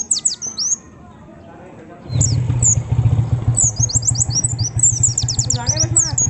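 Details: Lure song of a white-eye, meant to make other white-eyes sing: quick high chirps, a short lull, then a steady low motor drone under strings of rapid, thin, high-pitched twitters and downslurred notes.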